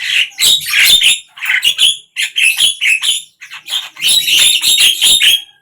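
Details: Javan myna in song during morning, midday and evening: loud, rough chattering phrases of buzzy squawks, grouped in bursts with two short breaks, ending in a dense harsh flurry.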